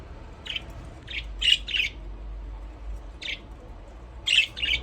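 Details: Pet budgerigars in an aviary, playing, utter scattered short squawky chirps in ones and pairs over a steady background hiss and low rumble, with gaps of about a second between notes.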